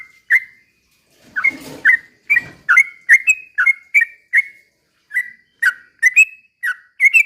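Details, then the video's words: Sooty-headed bulbul in slow 'ropel' singing meant to stir other bulbuls to answer; short fluty whistles in quick pairs and singles after a rustling noise near the start, then a pause. "trucukan gacor ROPEL PELAN BUAT pancingan trucukan agar bunyi"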